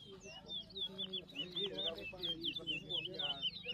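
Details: Towa towa (large-billed seed-finch) singing at a whistling competition in New Amsterdam, Berbice, Guyana, 2023: a fast run of clear, bright whistled notes, each sharply slurred up or down, with quieter talk from onlookers underneath.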